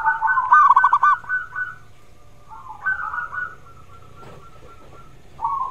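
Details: Zebra dove in full song, played to coax reluctant doves into singing: a fast burst of staccato, mellow cooing pulses early on, then softer drawn-out coos and a final short cooing phrase over low background hum.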